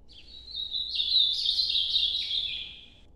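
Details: One sustained, jumbled warble from an ultramarine grosbeak in Nordeste noturno style, swelling in loudness through the middle before tapering away.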